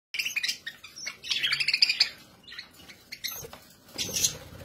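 Budgerigars chatter in quick, high chirps and scratchy warbles, bursts of bright tweets overlapping, with a brief noisy rustle near the end.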